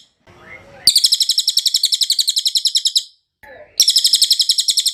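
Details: Clear cililin training song for songbirds: a soft rising whistle, then a long shrill pulsed trill of about four notes per second, a brief pause with another faint note, and a second trill.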